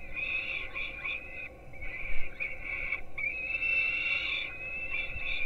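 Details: Begging peregrine falcon young at a webcam nest in Gdynia, Poland, fed breakfast at 4:21 am: choppy, high squealing cries in short bursts, then one longer drawn wail, with faint thuds.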